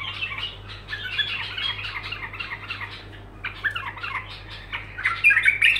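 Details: Bulbul singing continuously, softer chattering warbles that build to a brighter, louder flourish at the close; steady low hum throughout.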